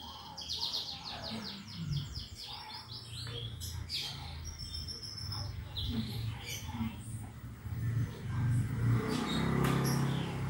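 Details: Canary song for prompting other birds to sing: opens with a rapid burst of repeated sweeping notes, then scattered chirps and short trills over a steady low hum.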